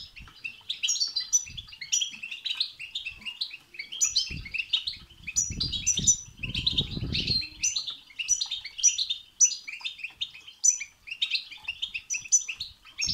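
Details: Extended European goldfinch song with 'betbeta' and 'setseta' phrases to stimulate singing, a steady stream of high tinkling twitters and repeated sharp notes recurring every second or so, with a patch of low fluttering noise midway.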